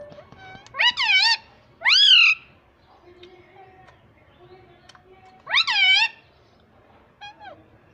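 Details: Pet talking ringneck parrot giving three loud, nasal, wavering harmonic calls, each about half a second long, with a shorter fourth call near the end and quiet pauses between them.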